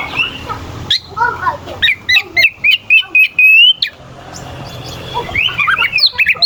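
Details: Oriental magpie-robin in full song, with rough, sharp phrases used as a lure to provoke rival magpie-robins. Varied whistles are followed by a fast run of repeated high notes, then more twisting whistled phrases.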